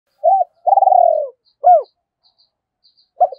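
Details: Decoy spotted dove, a cu mồi of thổ-voice style, calling to provoke rivals to fight: a short arched coo, a long rolling trilled coo, then two more clipped arched notes with silence between and faint high ticks.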